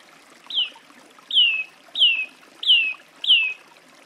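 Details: Song thrush repeating a loud, clear, downward-sliding whistled phrase five times at uneven gaps of roughly a second. The background is faint and hissy.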